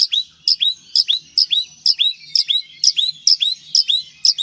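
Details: White-rumped shama from Aceh singing a fast, regular series of high whistled notes, each a sharp upward-sweeping chirp, repeated about twice per second throughout.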